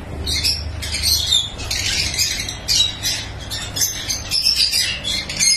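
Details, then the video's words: Farm-bred lovebirds calling together, a steady stream of shrill, scratchy high squawks and chirps in rapid, uneven bursts, many birds overlapping continuously. "Love Bird Sounds"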